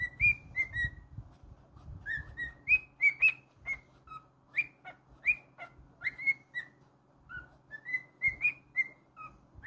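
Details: Cockatiel kept as a pet sings a steady stream of bright whistles, upward-sweeping notes alternating with level and falling tones, over faint low room hum.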